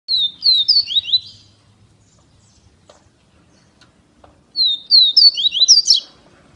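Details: Double-collared seedeater (coleiro) from Feira de Santana, Brazil, singing two fast phrases of sharp, downslurred whistled notes, each burst about a second long, separated by three seconds of near silence.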